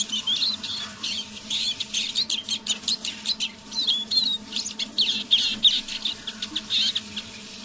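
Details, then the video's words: A tame pet Eurasian siskin sings softly at half voice in the evening indoors: a steady run of quick high twitters and thin squeaky notes with scattered brief trills, warming up as it goes, over a faint low hum. "Песня моего манного чижа"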